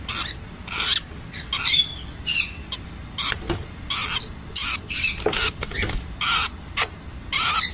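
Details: Rosellas of various colour mutations give harsh, noisy squawks in quick irregular bursts, roughly one or two per second, with some scratchy chatter between them and low background hum.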